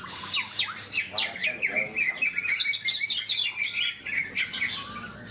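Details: Caged greater green leafbirds (cucak ijo) at a songbird contest in Malinau, North Kalimantan, Indonesia: dense, loud overlapping whistles, rapid chirps and sweeping trills from several birds, with faint human voices underneath.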